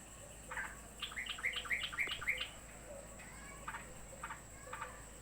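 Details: Javan kingfisher, agitated because another bird has arrived, giving a quick run of sharp, harsh chattering notes over about a second and a half, then a few shorter spaced bursts, over a steady high background hiss.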